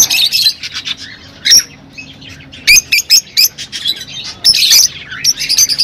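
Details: Rosy-faced and Fischer's lovebirds calling to encourage mating, with shrill squeaky chirps in short clusters, broken by pauses and a few sharp, high squeals.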